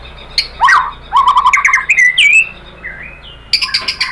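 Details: White-rumped shama song played as a lure to make other shamas answer: short rich phrases of warbled notes, a rising whistle, then a cluster of sharp high chips.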